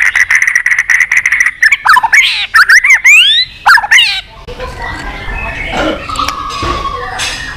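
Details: White-rumped shama in long song to spur fighting: rapid buzzy notes, then loud rising and falling whistled slurs, fading into softer, noisier background chatter and squawks.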